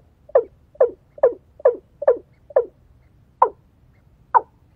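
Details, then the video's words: Watercock lured with a female decoy bird for trapping; short, hollow clucking notes, six in a quick run about twice a second, then two more after a pause, over low background rumble. "PIKAT BURUNG AYAM AYAM MENGGUNA DENAK BETINA"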